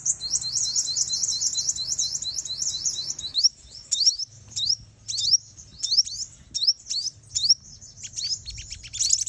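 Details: Female sunbird lure call played to provoke males into fighting, used for trapping; a fast run of high, sharp chirps gives way to spaced, thin rising-and-falling notes.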